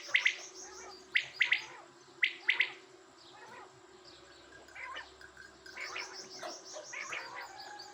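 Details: Quail giving loud, sharp, high calls in clustered bursts of two or three notes roughly once a second over the opening seconds, followed by softer scattered chirps and a hissy background.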